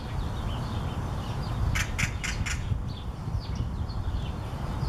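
A Great-tailed grackle gives four harsh, clacking notes about a quarter-second apart, with faint chirps around them over a steady low rumble.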